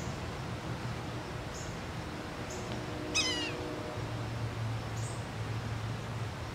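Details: A yellow-bellied sapsucker calling repeatedly at Taylor Arboretum, Nether Providence Township, Pennsylvania, gives one clear, nasal, cat-like mew that slurs downward, with faint high notes around it over a steady low hum.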